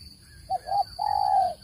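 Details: A single spotted dove phrase from a bird-trapping lure recording: two brief low hooting notes followed by one long, smooth, hollow coo lasting about half a second, with a faint steady high tone underneath.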